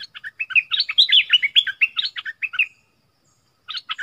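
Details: Decoy streak-eared bulbul luring wild birds, first capture of the year, 25 January 2021: a rapid run of lively chirping, bubbling notes lasting over two seconds, then silence and a short fresh start.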